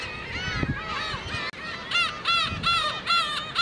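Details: Black-tailed gulls (Larus crassirostris) at Okuki, Hachinohe, Japan, on 9 June 2013, in sunny weather with fog coming in later: overlapping nasal, cat-like mewing calls in quick bursts, about two a second, as several birds call together over a low hubbub.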